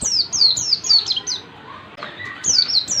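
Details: Pleci, or Oriental white-eye, practising ngalas rapat singing: a run of sharp, high descending whistles in close sequence, a brief lull, then another quick burst of three falling notes.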